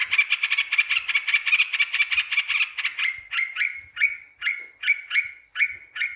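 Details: Yellow-vented bulbul song played as a lure to provoke rival birds. A fast run of bright, evenly repeated notes gives way to separate bubbly phrases spaced about half a second apart, all clean with no background sound.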